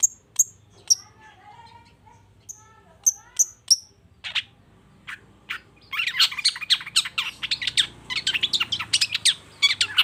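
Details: Long-tailed shrike singing to provoke a silent shrike: sparse sharp high whistled notes at first, then a dense, fast stretch of scratchy chattering phrases in the second half.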